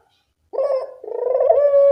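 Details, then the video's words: Barbary dove, a lively calling bird recorded as training audio to coax quiet doves into calling: a short clipped note followed by a rolling, vibrating coo that smooths into a steady low hum. "Masteran burung puter gacor, mengatasi burung puter malas bunyi"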